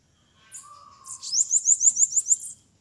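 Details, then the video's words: Bananaquit fighting a fierce released bird nicknamed Leão in a 12-minute courage test in Maceió, Alagoas: a rapid, very high, wheezy series of about seven rising sweeps in just over a second, after a faint lower whistle. "sibite brigando na campiada com a solta mais valente"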